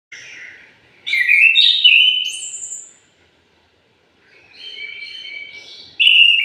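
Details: Orange-headed thrush singing in the morning. Bursts of rich, varied whistled phrases with sliding and warbled notes, separated by short pauses, then a loud new phrase at the end.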